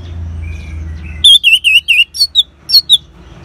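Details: Orange-headed thrush singing ngeban style, a lure to make caged birds sing: a faint whistle, then a fast series of about eight bright wavy whistled notes, the later ones higher and shorter.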